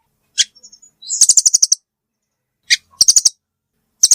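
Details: Velvet-fronted nuthatch: a single sharp note, then a quick trill of six or seven high chips, repeated after a pause; clean, quiet background.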